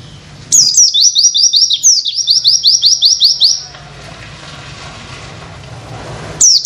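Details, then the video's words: Oriental white-eye tutor song with 'witwit' material for other birds: a long, breathless run of sharp, high, downward-swept notes, about five per second, followed by quiet background hum and a final short burst. "Masteran pleci nembak materi witwit"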